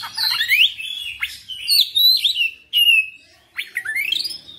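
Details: Oriental magpie-robin in persistent full song showing off its repertoire. Rapid, varied high whistles sweep up and down in several bursts, with a short pause before rising, slurred final notes.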